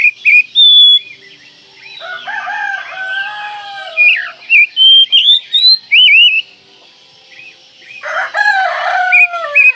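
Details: Kacer, the Oriental magpie-robin, as a masteran song for use morning, noon and night: very loud, varied whistles with looping, rising and falling notes, delivered in quick bursts separated by brief gaps, some notes overloaded.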